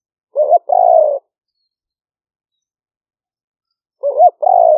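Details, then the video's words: Spotted dove recorded live on a smartphone in rainy-season rice fields at Nong Khu Phai near Tao Lek, Roi Et, Thailand, as a trapping lure: two mid-pitched phrases, each a short warbled coo then a longer falling coo. "หลิ่วเฟืองเสียงกลาง#5 ต่อกระโจม เสียงนกเขาใหญ่"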